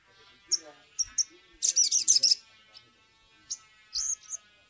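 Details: Sumatran leafbird, recorded as an excited, lively lure to get other leafbirds singing; sharp high chirps, then a rapid buzzy trill of about one second, followed by scattered high whistled notes and faint low background sounds.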